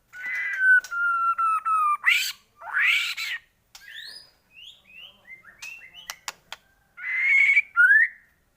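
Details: White-rumped shama song meant as a lure to rouse shamas into full song: loud, rich whistled notes and sweeping upslurs, then a string of short varied chirps and clicks, ending in bright whistled phrases.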